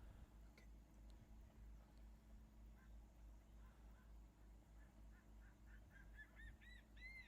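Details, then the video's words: Crested serpent eagles calling back and forth on Ishigaki Island, Okinawa. A distant series of arched whistled notes starts faint and grows steadily louder and quicker toward the end, over constant low-pitched background rumble. "【鳴き声、鳴き合い】カンムリワシ Crested serpent eagle"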